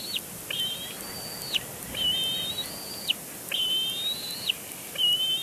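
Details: Nestling bald eagle at Big Bear Lake in April 2022 squeeing in its father's face during a tantrum. Repeated high thin squeals, each flat or slightly rising with a sharp fall at the end, roughly four in five seconds.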